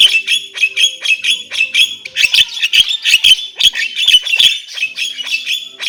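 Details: Continuous Javan myna singing, a dense run of harsh squawks and chattering notes, irregular and fast, with some clicking sounds mixed in.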